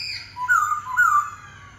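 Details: Black-throated laughingthrush song: two clear, slurred whistled phrases, each gliding downward in pitch, delivered in quick succession within under two seconds, with faint higher overtones and little background noise.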